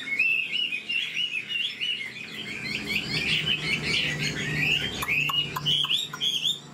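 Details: A caged, old wild-caught Chinese hwamei with a strong voice sings fast, warbled whistles in a continuous run, then sharper upswept notes; several sharp clicks break in near the end over a low hum.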